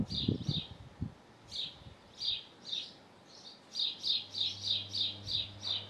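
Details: Male house sparrow calling from a roof beside his nest in Hull, UK: bright chirps near four kilohertz, scattered at first then repeated roughly every third of a second, with a low hum and faint thumps underneath.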